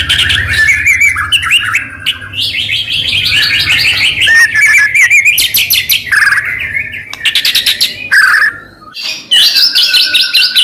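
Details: Energetic white-rumped shama song played to provoke other shamas into answering: dense, loud chatter of whistles, harsh rasping bursts and buzzy trills with brief breaks, steady low background noise throughout.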